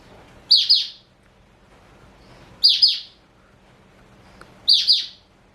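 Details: Caged four-year-old male black-throated canary of Somerini x Botswana stock sings a short high double-chirp phrase three times, repeated roughly every two seconds, with quiet gaps between.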